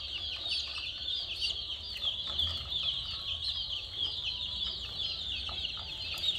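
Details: Steady high chirping from a flock of colourful chicks, sharp little peeps crowding together continuously over a quiet low drone.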